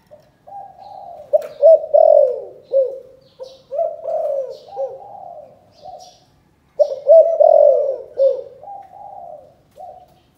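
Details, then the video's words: 'Chụp chụp ô' calling coo of a spotted dove from Can Tho, Vietnam, said to sound very strange: low hummed lead-ins, then clipped notes and full falling coos, repeated in two phrases with a pause between them. "Chụp chụp ô gáy gọi Thái Vân hoa : Cu gáy Cần Thơ"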